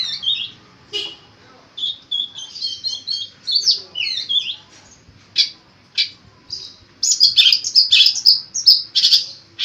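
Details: Long-tailed shrike delivering a song full of imitated phrases, used for tutoring other birds: quick jumbled chirps, falling slurred notes and scratchy trills that build into a dense rapid chatter near the end.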